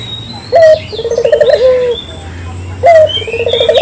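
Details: Lure call of a local dove: two phrases, each a bright opening note followed by a fast rolling, purring trill and a held coo, over faint background chirping.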